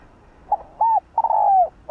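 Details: Low hollow coos of a spotted dove in the 'hạp bổi' style, played to rouse other doves: a short note, an arched coo and a long downward-gliding coo, with the next phrase just beginning at the end.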